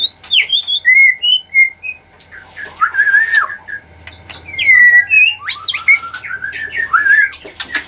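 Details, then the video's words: White-rumped shama kept at a bird farm in Anyer, Banten, Indonesia, whose song is meant to make rivals react at once: a busy run of varied whistles, swoops and chattering notes, almost without pause, over faint low hum. "SUARA MURAI BATU INI, BIKIN LAWANNYA LANGSUNG BEREAKSI"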